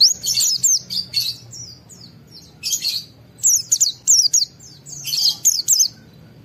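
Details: Agitated white-eye singing to provoke other white-eyes: irregular bursts of high, buzzy and slurred chirps, some harsher squawk-like notes, spaced by short quiet gaps.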